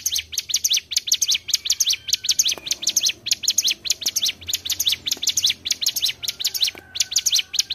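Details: Lure song of the mountain tailorbird for trapping birds: a long run of shrill, quick chirping notes, about 100 per minute, with faint clicks and a soft low hum beneath.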